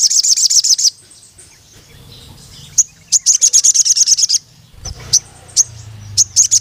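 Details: Vigorous crimson sunbird (sogon) calling a rival male with dense trills of very high, sharp chips, each burst under two seconds, broken by lone clipped notes and a faint low rumble.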